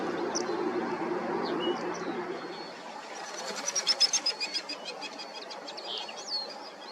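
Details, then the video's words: Common linnet, filmed between summer and autumn, giving a rapid twittering trill of about a dozen high, evenly spaced notes midway through, with scattered thin chirps before and steady background noise. "Common LINNETS Singing & Calling Sounds"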